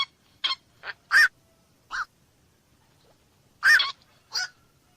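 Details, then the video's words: Black-crowned night heron calls: scattered hoarse, clipped croaks, a few loud ringing barks separated by a gap of quiet. "SUARA BURUNG KOAK MALAM"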